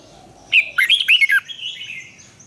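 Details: Red-whiskered bulbul song for training and contest singing: a brief lively phrase of four or five liquid, slurred whistles, followed by a fading thin note over a low background hum.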